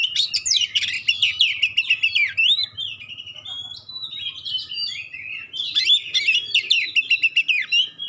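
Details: Magpie-robin, kacer, singing with sharp 'shot-like' notes and clear tones said to make other magpie-robins respond at once; a fast run of varied whistled and chattering notes in two bursts, with a low hum underneath.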